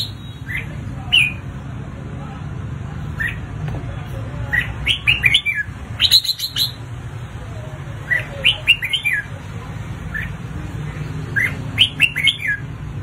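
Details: Red-whiskered bulbul in fiery competitive singing, used to provoke and train other bulbuls to sing freely: short, bright, warbled phrases in bursts every one to three seconds, some sharp chirps, over a steady low rumbling hum.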